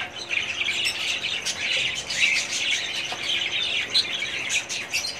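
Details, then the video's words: A 2017 breeding colony of budgies fills the air with overlapping warbles, chirps and raspy squawks, a constant high-pitched flock babble with small louder peaks. "budgies parrots colony progress update 2017"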